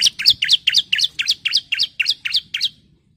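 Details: A lure recording of a female bar-winged prinia calling the male, a brisk string of around eleven loud, squeaky, high chirps repeated about four times a second before stopping.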